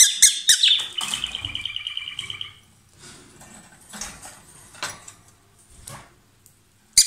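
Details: Pair of lovebirds kissing and maybe swapping food, singing loudly: sharp high chirps open into a fast stuttering rattle for about two seconds, then only faint soft twitters until a final sharp chirp.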